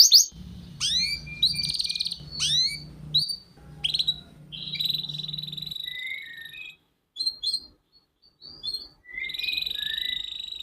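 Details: Canary song from a training recording meant to get young canaries singing: scattered sharp whistled slides and short trills, a sustained warbling tone, some silent gaps, with a low steady hum underneath.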